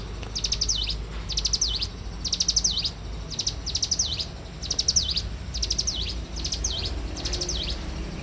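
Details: Bar-winged prinia singing in the morning: short phrases of rapid high ticking notes ending in a sharp downward-then-up slurred note, repeated roughly once a second with brief pauses, over faint low rural background hum.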